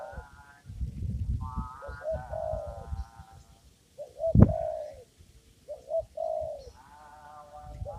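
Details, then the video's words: Spotted dove calling in a papaya garden during trapping with a lure: low, hollow cooing phrases of several soft notes, repeated every second or two, over rumbling low-pitched handling noise, with one sharp knock midway. "mikat burung tekukur di kebun pepaya"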